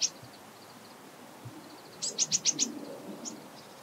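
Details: Japanese tit (Parus minor) recorded at very close range, giving high, thin call notes, then a quick run of five sharp, bright notes, over faint low background noise.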